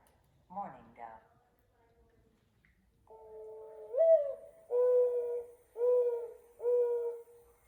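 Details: Mourning dove, a sound heard frequently during the day: a soft rising coo followed by three steady, hollow, low coos about a second apart, preceded by a brief harsher note.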